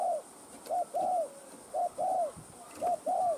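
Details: A spotted dove, called cu gáy or cu đất, gives soft, low coos in pairs, a short note then a longer arched one, repeated about every second with faint background hiss; the recording is used to stimulate caged doves to call.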